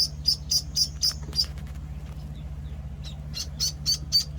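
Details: Bright, high peeps from week-old Penciled Call ducklings come in a quick series, fall silent for about two seconds, then return, with a low humming drone in the background.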